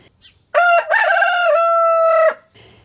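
A rooster gives one loud crow lasting nearly two seconds: a short rising opening, then a long held, slightly falling note before it cuts off.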